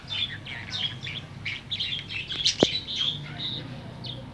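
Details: Tame budgerigar singing in the afternoon, with a continuous run of high twittering chirps and short warbles, broken once by a sharp click, over a faint low background hum.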